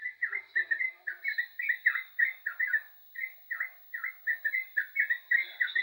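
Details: Yellow-vented bulbul singing vigorously: clear, rich gurgling phrases in groups of two or three notes, briefly pausing midway, over a faint high-pitched tone.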